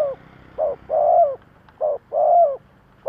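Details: Decoy spotted dove cooing to attract wild doves, thúc gù style: two pairs of a short note and a long slurred coo, with a noisy background.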